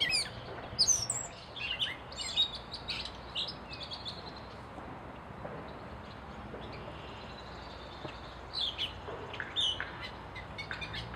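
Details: Gray Catbird, wild in Canada, delivering a jumbled run of squeaky, chirpy phrases, pausing in the middle, then resuming with a few more scratchy notes over faint hiss.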